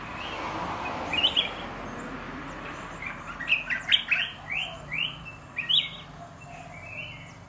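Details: Red-whiskered bulbuls in cages, 'dok taeng' and 'ta daeng' birds mixed, give a few scattered whistles, then a quick series of sharp, clipped upward-sweeping notes over a broad, hissy background.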